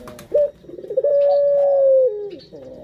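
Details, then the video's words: A Barbary dove (puter) gives a low, mellow coo: a short clipped note, then a long drawn-out hum that slides down at the end. "Pancingan Burung Puter"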